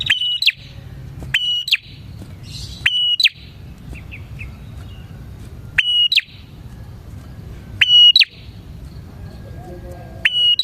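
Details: Lure song of a bar-winged prinia, meant to attract others of its kind. Roughly seven phrases of a clicky onset, a level shrill whistle and a double chirp, with soft twitters in the gaps.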